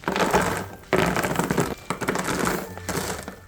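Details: Crunching, cracking and knocking noises in a small room, with a faint hum of music underneath and no animal voice.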